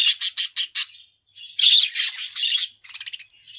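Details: Budgerigar kept as a pet gives four quick clipped chirps, a pause, then a louder run of buzzy, scratchy warbling notes ending in softer twittering.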